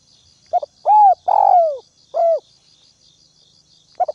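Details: Northwest spotted dove decoy calling to provoke other doves: a brief double note, a rising-falling coo, a long downslurred coo and another short coo, then a pause before a double note, over a continuous insect drone.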